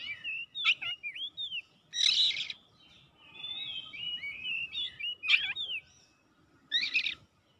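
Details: Oriental magpie-robin singing in full, vigorous form while seeking an opponent: clear whistled curls mixed with several harsh, buzzy rasping bursts, and a thin trilled passage in the middle.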